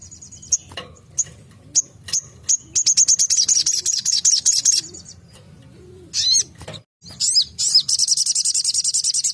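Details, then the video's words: Shrill tembakan song of a crimson sunbird (sogon): scattered thin high whistles build into a long, fast run of buzzy repeated notes, a pause, then a dense, rapid high trill. "Tembakan burung sogon Ajib"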